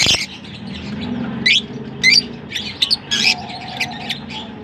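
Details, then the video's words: Lovebirds from Larkana give a handful of loud, sharp squeaky chirps and short rising notes, spaced irregularly over a quieter background twitter. "Lovebirds sing Sweet Serenades"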